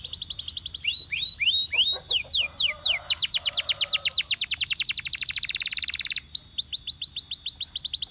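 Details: Belgian canary delivering hooked rising notes, then a long fast rolling trill of swept whistles that speeds up and blurs, before returning to crisp upslurred phrases.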